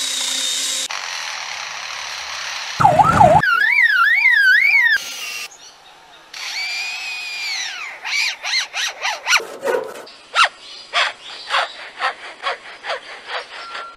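Lyrebird mimicry in quick shifts: a hissing buzz, a wailing siren-like warble, then a run of sharp clicks and whistled notes about four per second.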